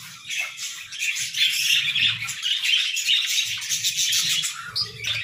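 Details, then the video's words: A chorus of pet budgerigars warbling in the morning, mixing chirpy tweets, squeaky notes and scratchy chatter in a fast, busy stream, with low rumbling knocks in the background. "Budgies Singing Sounds"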